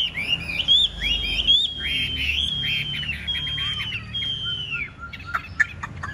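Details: Big-bodied Chinese hwamei in spread-feather fighting display: long, clear, sustained whistled notes bending gently in pitch, followed by scattered sharp chirps and clicks.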